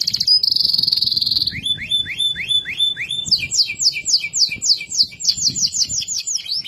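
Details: Loper canary sings loudly and clearly: a steady sharp whistled tone, then a series of fast descending slurred notes, then quicker high rolling trills, each phrase repeated several times a second.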